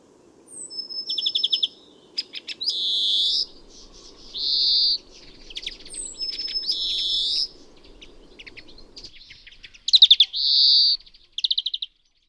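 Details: European greenfinch singing: quick canary-like twittering trills alternate with long, drawn-out nasal wheezing notes, each lasting under a second, over a low background hum that stops partway through.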